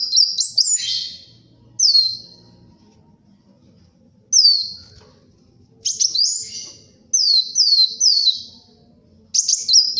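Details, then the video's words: Kolibri wulung sunbird singing energetically for luring and tutoring: piercing downslurred whistles, single or in runs of three, separated by brief silences, over a faint low rumble. "SUARA BURUNG KOLIBRI WULUNG GACOR, UNTUK PIKAT & MASTERAN"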